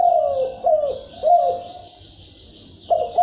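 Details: Low, husky coos from a red collared dove, three falling notes in quick succession, silence, then a new phrase begins; a thin hiss runs throughout.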